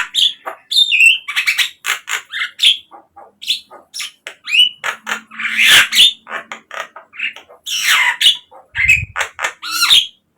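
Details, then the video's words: Javan myna song used as a lure to get captive birds singing: a busy run of harsh chattering notes, squeaky whistles and rasping bursts with short gaps, plus a brief low hum. "pancingan untuk naikanJALAK KEBO biar cepat GACOR"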